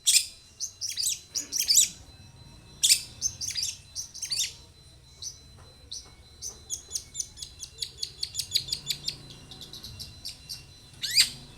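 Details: Long-tailed shrike singing hard in a varied sequence meant to coax other birds into song: clusters of scratchy, high descending notes, then a quick run of short chips repeated several times a second, ending in a loud rasping burst.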